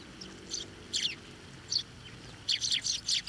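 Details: Sparrows getting food on posts and from hands at a Tenmangu shrine in late November 2023; scattered single chirps early, then a quick run of four loud, squeaky chirps at the end.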